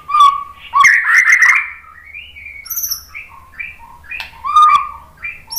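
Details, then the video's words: White-rumped shama song for provoking other shamas to sing: a loud jumble of fast warbled notes, then spaced whistles, some rising and some falling, with a few thin high squeaks. "suara KICAUAN MURAI BATU"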